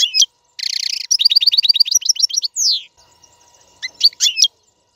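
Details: European goldfinch song for training caged chicks: a buzzy trill, then a rapid run of repeated high chirps and a descending slurred note, followed by a few sharp twittering calls.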